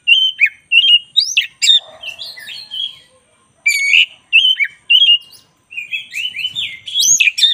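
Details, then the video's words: White-rumped shama, black-breasted form, singing vigorously in a training recording: rapid bursts of bright whistles and harsh chattering notes, closing with a rising series of quick whistled slurs. "10 menit masteran kacer dada hitam GACOR"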